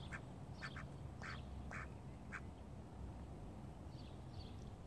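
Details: Call ducks kept alongside Indian runner and mallard ducks: short, harsh quacks in a loose cluster in the first two seconds, then a few fainter, higher calls near the end, over a steady low rumble of background noise.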